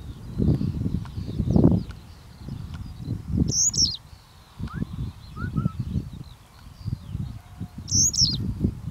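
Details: Adult male Yellow Wagtail singing from his perch over a purple tulip field in the Netherlands: two brief, sharp, high-pitched phrases about four and a half seconds apart, over heavy low wind rumble and faint chirps of other birds.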